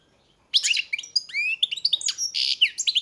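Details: Rapid goldfinch song beginning abruptly: jumbled tinkling notes, downward-sweeping whistles and buzzy nasal trills packed together for about two and a half seconds.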